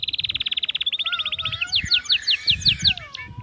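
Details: Male-style Atlantic canary song used to stimulate females to mate: a fast, even rolling trill that gradually speeds into a series of sharp repeated slurred notes, with a soft lower whistle running underneath.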